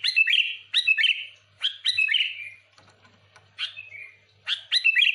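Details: Sooty-headed bulbul singing to attract other bulbuls: bright, bubbly phrases of slurred falling whistles, repeated in short bursts about once a second with brief pauses.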